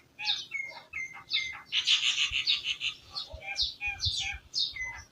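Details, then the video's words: Village birds in a busy chorus, with overlapping high chirps, short clear whistles and a dense chattering stretch in the middle. "Village Birds Chirping"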